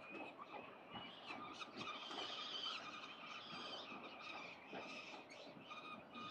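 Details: Young fledgling peregrine falcons at their building nest at 367 Collins, out on the morning of 25 October 2022, give harsh, drawn-out screeching wails that rise and fall over a steady roar of city traffic.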